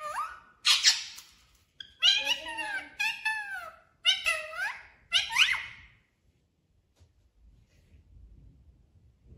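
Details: Parrot imitating "mummy papa" in a small room: five or six squeaky, speech-like words with falling and arching pitch over about six seconds, then near silence with low rumble.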